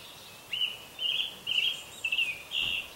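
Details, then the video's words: Morning birdsong made of five bright, slightly buzzy trilled notes. Each note lasts about a third of a second and comes roughly every half second, over a quiet, steady outdoor hiss. "Утро. Прекрасное Пение Птиц"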